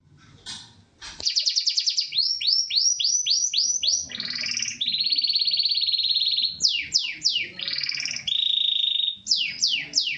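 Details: Corona Gloster canary singing vigorously: rapid downslurred notes repeated in quick series, a long buzzy rolled trill, then more sweeping slurred phrases, all high-pitched and bright.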